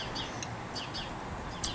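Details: In a windy, rainy Grimsby garden where a sparrowhawk holds a live young starling, several house sparrows give short, bright chirps, five or so within two seconds and set irregularly, over a steady outdoor hiss.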